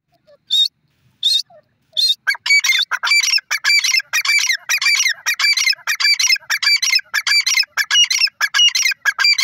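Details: Grey francolin calling: a few separate harsh notes, then a fast, dense run of loud, rasping, repeated calls with a strong high-pitched edge that continues steadily to the end.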